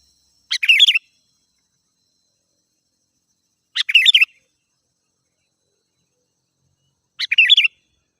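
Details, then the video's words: Sooty-headed bulbul song used as a lure for wild birds: three short bright chirpy phrases, each about half a second, spaced roughly three seconds apart, in clean silence. "Suara Burung Kutilang Gacor"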